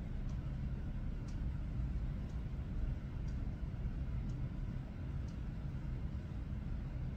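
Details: A steady low rumble with faint, evenly spaced ticks about once a second carries throughout, and no animal voice is heard.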